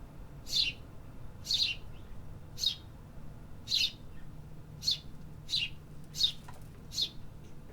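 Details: Urban birds in the city: loud, sharp high chirps repeated roughly once a second in an even series, with steady low background noise.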